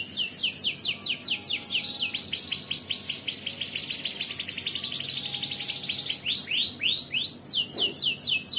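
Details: Canary from Indonesia in gacoran competition form, singing loudly: rapid runs of high descending sweeps, then a long rattling roll of quick repeated notes, ending in separate slurred whistles; the song is continuous throughout.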